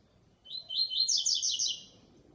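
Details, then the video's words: Double-collared seedeater in a song show: one clear, high, fast twittering phrase of about one and a half seconds, with densely packed bright notes and a quiet background. "Coleira canto especial, SHOW de canto"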